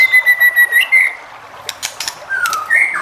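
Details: White-rumped shama singing to stir other shamas to answer: a fast series of pulsed whistled notes on one pitch, a brief pause with clicks, then a lower slurred whistle.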